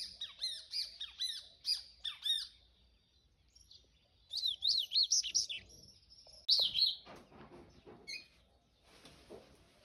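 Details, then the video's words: Repeated high, jerky chirps open the recording, then a double-collared seedeater's 'canto do rio' phrase of rapid rising-and-falling notes, a sharp final burst, and fading rustling noise. "Papa-capim canto do rio"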